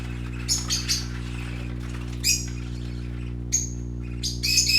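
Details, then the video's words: Playing young parakeets give bursts of shrill, squeaky chirps separated by short pauses, ending in a dense flurry of high notes, over a steady low hum. "Color ful Parakeet Babies playing - Original sounds"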